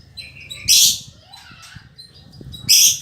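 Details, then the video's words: Female lovebird of fighter type, a loud and persistent singer; two intense, grating high screeches about two seconds apart, with weaker chirps and low background noise between them. "Suara Burung Lovebird Betina Fighter"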